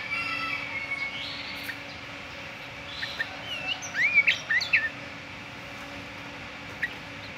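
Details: Sooty-headed bulbul singing in the morning. A short burst of sharp, chirpy notes comes in the middle over a steady hum and background noise, with fainter notes before it.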